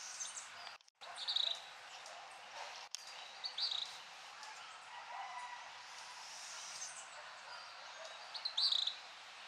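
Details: Three sharp, high chips from a Green Mango (Anthracothorax viridis), a hummingbird endemic to Puerto Rico, while preening, spaced several seconds apart over a steady hiss of insects and background noise.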